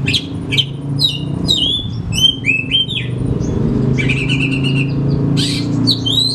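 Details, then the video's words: Oriental magpie-robin singing, used to coax reluctant caged magpie-robins into song; whistled slurs and high chips give way to a buzzy rattling passage, all over a steady loud low-pitched hum. "Sekali Putar Kacer Macet Bunyik Langsung Bukor Bongkar materi"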